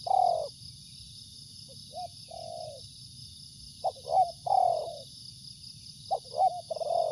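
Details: Spotted dove cooing in repeated phrases: short clipped notes leading into longer mellow coos, groups separated by pauses of about one to two seconds, over a constant high insect drone.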